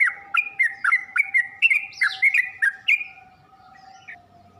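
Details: Yellow-vented bulbul training song for birds to learn from: a fast series of liquid, bubbling whistled notes with quick pitch dips, fading to quiet after about three seconds over a steady low hum.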